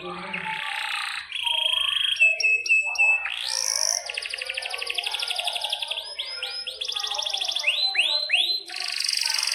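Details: Canary singing a long, varied song: buzzy rolls, clipped repeated high notes, a swooping rising whistle, then rapid trills alternating with rising slurred notes, all at high pitch.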